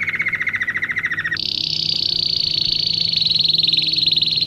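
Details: Singing domestic canary, recorded to teach young birds: a lower rolled trill for over a second, then an abrupt switch to a high, fast, shimmering trill that continues steadily, with a quiet low hum behind.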